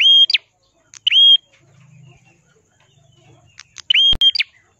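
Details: Ashy tailorbird with a red head, a crystal-voiced singer used as a tutor for other songbirds: short flat whistles ending in upward flicks, a quiet gap with faint low humming, then a sharp click and two more whistles.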